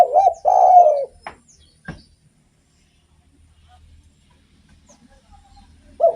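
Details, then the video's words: Spotted dove in active song used as a lure for other doves: one wavering coo phrase at the start, then a few sharp clicks and near silence, and another coo just beginning at the end. "SUARA BURUNG DERKUKU GACOR ENAK DIDENGAR || BAGUS BUAT PANCINGAN"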